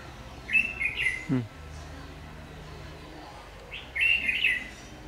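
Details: ['Má lỡ red-whiskered bulbul, harsh-voiced, in decoy trapping on 22 August 2019; two bright chattering whistled phrases about three seconds apart, a low downward swooping sound between them, and a low hum.']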